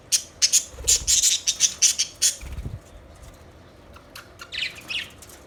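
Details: Budgies give a rapid series of sharp, high, clipped chirps in the first two seconds, then softer scattered squawky chatter with a low thump of movement.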